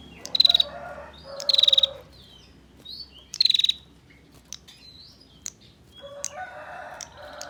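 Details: Bar-winged prinia female in 'ngetir' mode, calling to lure males: three short, rapid, high ticking trills in quick succession, with lower warbled notes beneath and softer calls from another bird afterward.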